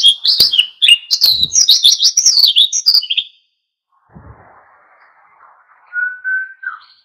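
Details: Oriental white-eye in lively full song, used to provoke other birds into singing: a rapid jumble of high, thin chirps and twittering notes for about three seconds, then a pause and a faint rising whistled note.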